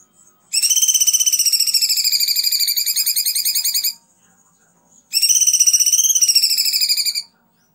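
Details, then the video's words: Kunti bird on a tutor recording for songbirds such as cucak ijo, kacer and murai: two long, rapid, buzzy high trills, about 3.5 and then 2 seconds long, steady, rising slightly near the end. "masteran kunti"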